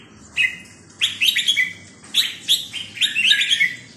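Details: Red-whiskered bulbul singing in the Thai 'sai nap dok' (note-counting) style: short bright whistled phrases, each a quick cluster of rising and falling notes, delivered in four separated bursts with brief pauses between.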